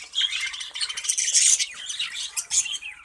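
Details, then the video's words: Breeding colony of budgerigars chattering together, a continuous wash of shrill, scratchy chirps and squawks with brief peaks of louder calling. "Budgies Colony Progress"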